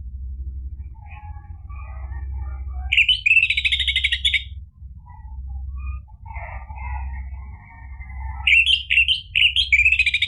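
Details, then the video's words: Orange-headed thrush singing vigorously, meant to goad a bird that has gone quiet into singing back. Dense, fast, varied phrases in two long bursts, separated by softer, lower scattered twitters. "ANIS MERAH GACOR memancing EMOSI jadi BUNYI NYAUT ikut NGEPLONG ampuh buat terapi macet bunyi"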